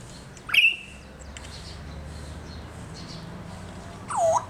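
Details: One of two pet African grey parrots in an outdoor backyard cage in Lubumbashi, Congo, gives two short calls four seconds apart: a sharp, high whistle, then a lower swooping note dipping and rising, over quiet hum.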